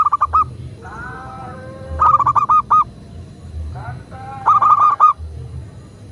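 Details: Cooing of a local zebra dove, a recording meant to coax kept doves into calling: three phrases of quick, hollow, stuttered notes about two seconds apart, with faint smooth drawn-out tones between them and a low background rumble.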